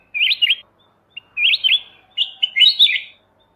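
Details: Master recording of a Kutilang emas mata putih bulbul for training cage songbirds: bright, liquid, rising and falling whistled notes in three quick bursts, with a short pip between.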